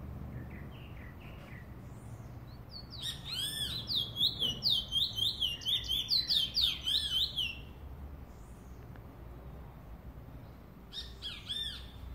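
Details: Trinidad bullfinch recorded in 2018, opening with a few soft scattered notes, then bursting into a rapid, rolling run of high whistled slurs for about four seconds, falling quiet, then adding brief chirps near the end over low hum.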